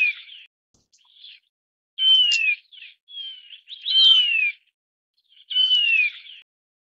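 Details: Taiwan Barwing, endemic to Taiwan, giving loud descending whistles about every two seconds, each framed by brief rasping chatter notes, against silence.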